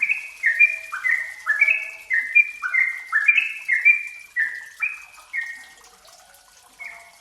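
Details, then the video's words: Closely spaced song of a yellow-vented bulbul, played to coax untrained kept birds into singing: quick liquid chirps sliding downward, about two a second, thinning out toward the end. "Pancingan TRUCUKAN BAHAN agar cepat bunyi dan gacor"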